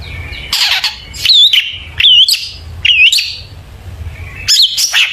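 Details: Long-tailed shrike song played as a lure to make shrikes sing: grating buzzy bursts alternate with short looping whistles, in phrases a little under a second apart separated by brief pauses.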